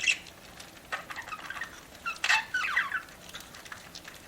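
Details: Eating pet budgie giving fairly soft, scattered chirps and warbles, with one livelier twittering burst past the middle, over a quiet room background.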